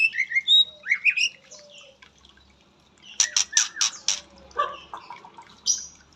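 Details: White-rumped shama singing a song with 'isian katem' filling: clear whistled notes sliding up and down, then a burst of loud buzzy, harsh notes and scattered chips.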